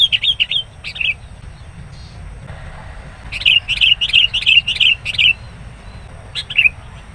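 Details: Decoy sooty-headed bulbul in a wild-bird trapping session, calling aggressively when a rival comes near: brief warbled phrases, a pause, then a quick run of about eight bright, bubbly notes and a final short phrase.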